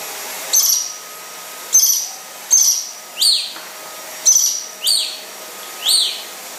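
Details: A yellow-breasted lorikeet, said to be rare, battles a vacuum cleaner with seven piercing high screeches, some bunched closer together, all set against a continuous mechanical hum.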